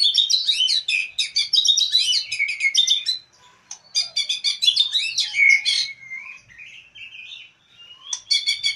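An oriental magpie-robin sings fast bursts of varied chattering notes, broken by clear, rising and falling whistles at a high pitch.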